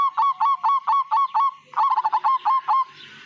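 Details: Zebra dove of the Majapahit type, a strain whose song is described as melodious without a long KUNG note at the end. Short, hollow cooing notes at one steady pitch, about seven evenly spaced, then a quicker stuttering run of similar notes.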